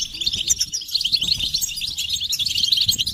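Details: European goldfinches in a group twittering session meant to stimulate males into singing, with mating and readiness calls: dense, overlapping high tinkling chirps and trills running continuously without pause.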